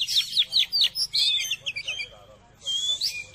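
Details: Song of an Oriental magpie-robin, known locally as kacer, used to get birds fired up and chattering. Quick, high, buzzy-edged whistles in short bursts, a brief lull, then a loud high rasping phrase.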